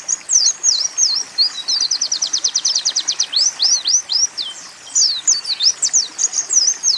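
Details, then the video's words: High-pitched Oriental white-eye training song blending canary and sunbird phrases, with quick downslurred and hooked notes, a long fast buzzy trill in the middle, then more twisting notes, delivered without pause. "Masteran Pleci Tembakan Kenari-Kolibri"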